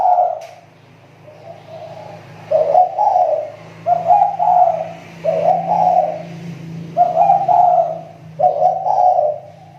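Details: Kepri spotted dove kept for luring, its voice improving again, gives a run of close, rolling coos in quick paired phrases, over a noticeable low droning hum.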